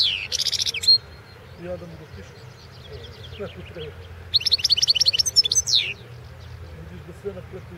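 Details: European goldfinch of the Balkan subspecies, Carduelis carduelis balcanica, recorded as a 2016 World Championship in Goldfinch Song entry from Serbia: two bursts of fast, bright, tinkling twitters with quiet pauses between and low background hum.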